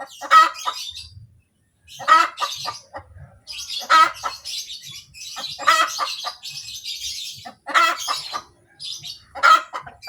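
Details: Laying hen cackles 'kotek kotek' after producing an egg, a loud broad squawk trailing into short clucks, phrases coming roughly every two seconds alongside thin chirping from small birds in the background.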